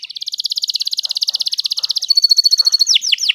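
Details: Canary singing as a master tutor for other birds: long even trill of rapid high pulses, a thinner ringing trill above, then two or three loud descending swoops.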